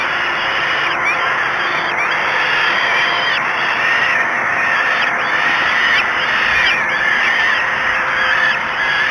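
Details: Falcons at a nest at dawn, 05:56 on 24 May 2016, at Great Spirit Bluff, during the chicks' first feeding. Repeated short harsh chevron-shaped calls rise and fall over a steady hiss, with a constant high electronic tone.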